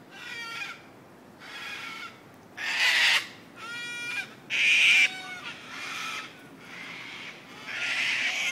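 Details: Wild cockatoos in the Royal Botanical Gardens, Sydney, Australia, noisy flock; loud harsh raspy screeches in long drawn bursts about a second each, several overlapping, with quieter screeches between.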